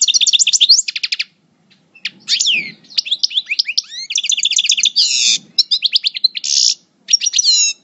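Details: Goldfinch song in moult, from a Parva coupleur bird at El Bordj: lively bursts of rapid high twitters, liquid chirps and short buzzy trills, broken by brief pauses, with faint low rustling beneath.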